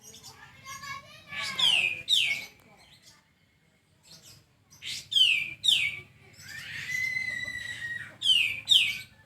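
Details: Tutor song of a sooty-headed bulbul: doubled, bright, downward-slurring notes repeated after pauses. One sustained whistle sits between the pairs, and a low background hum runs throughout.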